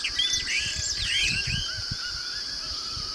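Yellow-rumped marshbird giving quick, liquid whistled notes that slur up and down, several overlapping, over a steady high hiss and low rumbling background.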